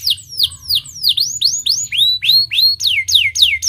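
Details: Stimulating canary song: a steady series of loud swooping whistles, each sliding downward then curling, about three per second, with a faint low hum in the background.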